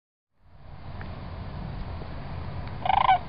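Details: Sandhill crane at Celery Fields: a short, rolling, pulsed call bursts out near the end after a steady low rumble of background noise.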